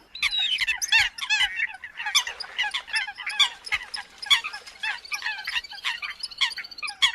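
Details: Eurasian coots in the new migration season giving squawking, high nasal calls in quick crowded bursts, many voices overlapping with a thin sustained tone running underneath.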